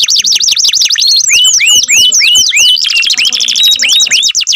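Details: Canary song: quick high trill, then a slow series of about six rising whistled sweeps, followed by another fast rattling trill with a few upslurred notes.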